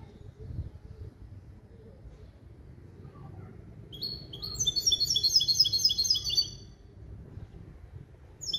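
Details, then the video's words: Male goldfinch and female canary hybrid, tutored in a limpio song made of goldfinch base calls, delivers a burst of fast, high, repeated chirping notes, about four per second, lasting over two seconds amid a quiet indoor hum. "CHANT DE MON HYBRIDE JILGUERO ET CANARI"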